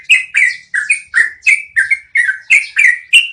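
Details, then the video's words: Long rolling song of a yellow-vented bulbul, recorded as training material for cage birds: loud, even, bubbly slurred notes falling and rising, delivered about three per second without pause. "MASTERAN SUARA BURUNG TRUCUKAN NGEROLL PANJANG"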